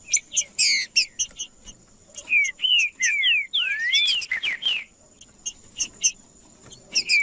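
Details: A male green-winged saltator in combative song meant to heat up other males. Quick chips open, then a series of slurred whistles, some rising and some falling, with a final burst of clipped notes.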